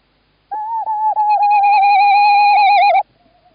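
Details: Male tawny owl calling, female inside the nest box, Estonia, 11 March 2017; a sustained, vibrating tonal call of about two and a half seconds, briefly broken near its start, then quiet.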